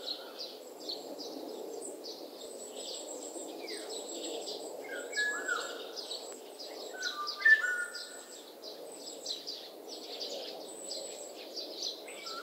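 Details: Oriole giving fluty whistled notes, mostly low and brief, standing out around seconds five and seven over a dense chorus of high buzzy insects and other birds.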